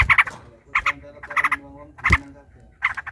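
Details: Trucukan, or yellow-vented bulbul, in a fight, lure song: short clusters of chattering notes about every half second, with faint low tones between bursts.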